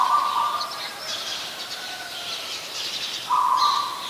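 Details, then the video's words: Oriental magpie-robin (Copsychus saularis), a very common resident, singing in Ubon Ratchathani, Thailand, on 28 October 2021: a steady, slightly warbled whistle under a second long, answered by a similar phrase about three seconds later over thin, high chatter. "นกกางเขนบ้าน Oriental Magpie Robin (singing)"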